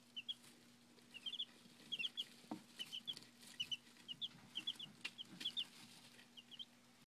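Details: Domestic chicks about five days old peeping: thin, high, whistled peeps in quick twos and threes, repeated steadily throughout, over a faint steady hum.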